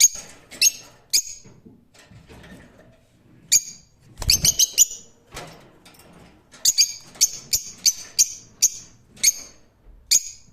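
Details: Rose-ringed parakeet squawking, with a burst of clattering noise midway, then a rapid run of shrill, evenly spaced screeches toward the end.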